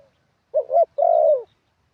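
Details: A single song phrase from a Thai decoy spotted dove: a quick stuttered pair of low notes, then a smooth sustained coo that falls away at the end.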